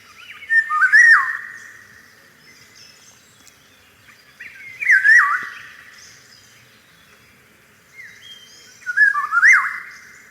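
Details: Eurasian golden oriole singing in spring among blossoming cherry trees: loud, fluting whistled phrases with a yodelling dip, repeated about every four seconds, three phrases in all, over a quiet background.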